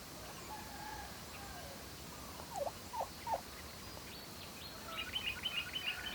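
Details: Farm turkeys foraging for food in the evening: a few soft, scattered notes, then a rapid trilled gobble of quick repeated notes near the end, over steady background hiss.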